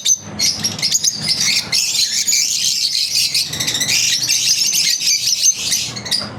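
Lovebirds keep up a dense, nonstop chatter of shrill, high chirps and squeaks, several birds calling over one another with no pauses.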